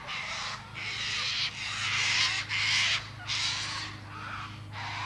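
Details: Cockatoo giving a run of harsh, broadband screeches, about seven rough bursts in five seconds with short gaps between them, over a steady low hum.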